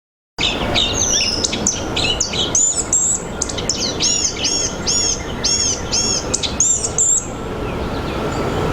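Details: Blue-gray gnatcatcher in a forest, giving a rapid series of high, thin, wheezy upslurred notes, mostly over steady background noise and a faint low hum.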